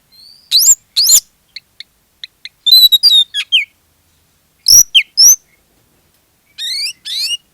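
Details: Oriental magpie-robin, kacer, singing as a lure for others of its kind: sparse high upswept whistles, faint ticking notes and a few clustered chirps, separated by longer silences.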